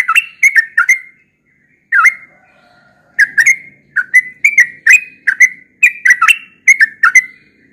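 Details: Yellow-vented bulbul, said to sing often in the morning: three quick bubbly whistles, a lone note, a silent gap, then a renewed rush of gurgling, dipping whistles in pairs and threes.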